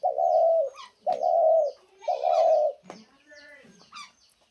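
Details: Pet spotted dove giving three low, hollow, steady coos, each under a second long and about a second apart, followed by softer murmuring sounds and faint higher chirps.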